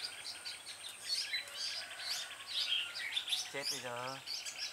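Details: Female red-whiskered bulbul used as a lure while trapping, 26/12/2016. Many bright chirps and thin whistles fill the clip, then a man speaks briefly toward the end.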